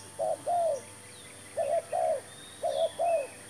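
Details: Spotted dove heard while being lured with a new decoy bird and a new trap: three paired phrases of mellow, slightly falling coos separated by short pauses, with faint high bird notes behind.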